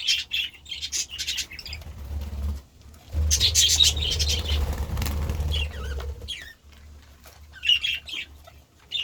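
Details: Budgerigars eating vegetables keep up quick chirps, then a dense burst of scratchy chatter, followed by quieter isolated chirps over background rumble.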